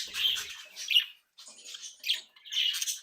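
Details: Pet budgerigar flock, playful and active, giving short harsh warbles and squawks in quick bursts with a brief pause.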